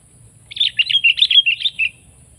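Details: Sooty-headed bulbul song: a short burst of quick, bubbly chirped notes lasting about one and a half seconds, warbling up and down in a bright, clear run, with a faint steady background hum.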